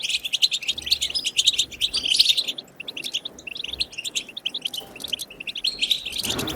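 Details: Goldfinch song of the batbata type, used to stimulate goldfinches to sing: fast twittering phrases broken by short gaps, with bright trills and buzzy chatter that keep resuming.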